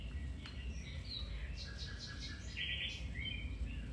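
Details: Singing domestic canary, meant to stimulate a pet canary to sing: twittering notes, a rapid pulsed run of chirps, then a brief buzzy trill, with constant low rumble behind.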